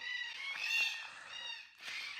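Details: A Red-tailed black cockatoo (Calyptorhynchus banksii) at Jarrahdale, Western Australia, heard but hard to see, with a couple flying, gives a harsh, drawn-out rolling call lasting over a second, then starts a second, similar call.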